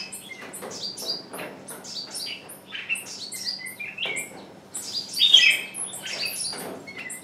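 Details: Decoy bird calling again and again to lure wild birds, which hold back; a thick run of high downward chirps, brief whistles and a sharper, louder call burst just past the midpoint.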